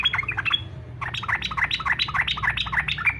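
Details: Yellow-vented bulbul singing fighter style to provoke other bulbuls into song: a couple of opening chirps, then a continuous two-second stream of rolling, bubbly whistled notes.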